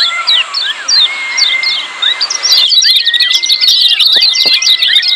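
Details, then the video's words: Lemon-bellied white-eye ciak calls in a noisy busy flock, used to prompt silent birds to call. Spaced chirps and a long level whistle come first, then the twittering grows much denser and louder. "Kecial Kuning Ciak Joss RIBUT RAME"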